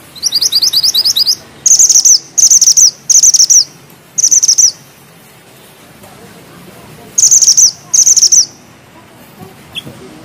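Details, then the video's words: Bushchat in full song, dense and sharp: an opening rattle of doubled high notes, then several short, bright, trilled bursts spaced about a second apart, with long silent gaps. "Mantenan gunung gacor ngeroll rapat,nembak tajam!!"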